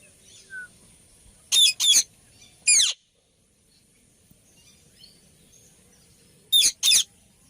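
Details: Rose-ringed parakeet: loud, harsh, very high screeches, mostly in quick pairs, with a single one in between and long quiet gaps.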